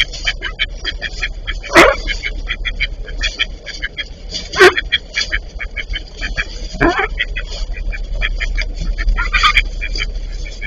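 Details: Eastern spot-billed duck couple quarrelling; fast, steady quacking notes with loud harsh outbursts and sharp snapping sounds scattered through the exchange.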